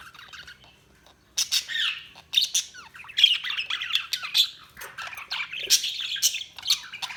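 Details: Budgerigar chirping: after a quiet second a loud burst of raspy squawks and warbled chatter begins and keeps going, harsh and busy.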